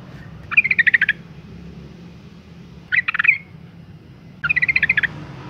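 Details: Calls from a female yellow-vented bulbul meant to provoke singing males: three quick, bubbling rattles of clipped notes roughly two seconds apart, the middle one shorter and more slurred, over a faint low hum.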